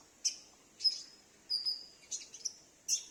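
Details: A sunbird (konin) kept at home answers each time another sunbird calls; the recording serves as a lure for wild or escaped sunbirds. About five sharp, high chips come in about three seconds, some with short trailing notes, over a quiet background.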